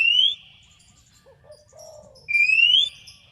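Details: Oriental magpie-robin singing to provoke a rival into answering: two clear, loud, rising whistles about two seconds apart, with a few soft lower notes between them over a quiet background.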